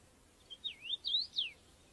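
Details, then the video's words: A common rosefinch in the UK sings one short phrase of four or five clear, slurred whistles, rising and falling, over about a second against a quiet background. "Common Rosefinch UK Birds. Bird Song"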